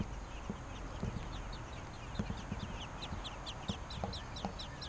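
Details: American robin chicks begging while parents feed them: a steady series of thin, high, downward-slurred squeaks, several per second, over low rustling and soft thumps.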